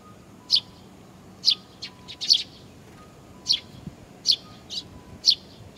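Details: Chicks calling while they wait for parent birds at Tenmangu shrine in Nakanoshima, June 25, 2020; crisp high chirps repeated irregularly, roughly one every second or so, sometimes paired, over faint background noise.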